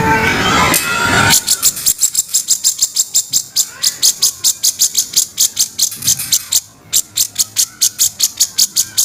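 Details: Grey-cheeked bulbul harsh kasaran notes, used as master training audio: after a loud noisy opening burst, rapid dry rasping pulses repeat about three times per second with a brief pause near six seconds.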